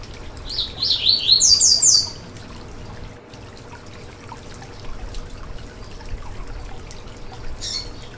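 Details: Yellow-bellied seedeater song, played to warm up and stimulate another seedeater to sing: a quick high twittering phrase of sweeping whistled notes lasting about a second and a half, then a single short high note near the end, over steady background hiss.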